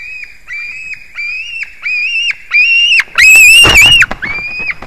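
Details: White-tailed eagle heard on 21 July 2019 at 22:10, close and loud: drawn-out whistled notes, each holding level then dropping at the end, given in a steady series. A single harsher, rasping cry breaks in midway.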